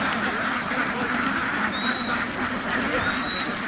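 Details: Many ducks on a farm in a dense, continuous chorus of overlapping nasal quacks. Faint thin high whistles drift through now and then.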